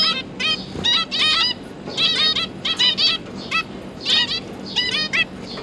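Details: Zebra finch pair with three newly hatched juveniles, the parents busy feeding them, recorded 31 October 2022: bursts of short nasal, buzzy, harmonic calls in quick clusters, several birds overlapping, with faint background hum.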